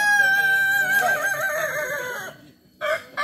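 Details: Multi-level crowing of a Kukuak Balenggek rooster, a Solok, West Sumatra village breed. A steady, drawn-out crow breaks into rippling wavering notes, then stops. After a brief silence, short new crow fragments begin.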